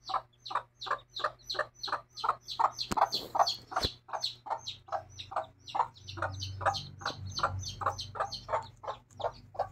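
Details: Mother hen with her chicks, clucking in a steady run of short, rapid notes, about two or three a second, with a faint hum underneath and a few high chick peeps mixed in.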